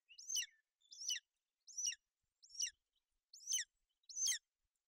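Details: In Bucovina, 28 May 2021, a golden eagle female keeps her chick warm and dry on the nest. Six evenly spaced, high, descending yelps sound about once every 0.8 seconds.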